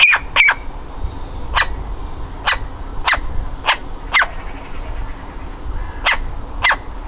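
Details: Woodpecker nestling desperate to leave its nest hole: loud, abrupt, rasping calls repeated roughly every half second to one second, with faint background hum.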